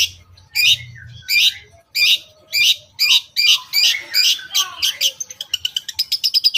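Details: Long-tailed shrike singing a "toet toet" lure with filler phrases to stir other shrikes. Loud harsh notes repeat about every half second, then speed up into a quick run of clipped high chips.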